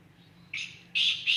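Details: Call of a black francolin recorded at Khushab: three loud, rough, squawking notes spaced about a third of a second apart, the last one clipped short.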